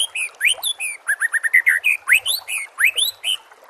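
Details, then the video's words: White-rumped shama training song for captive birds: rapid, varied sequence of sharp rising whistles and high chirps, continuous and loud throughout. "MASTERAN SPESIAL TAHUN INI AUDIO JERNIH KOMPILASI MEWAH UNTUK SEMUA JENIS BURUNG MURAI BATU"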